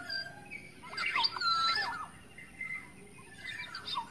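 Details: Lure call of a wild black-naped oriole in forest: a burst of clear whistles and bending nasal notes near the middle, then a softer whistle and a few fainter notes.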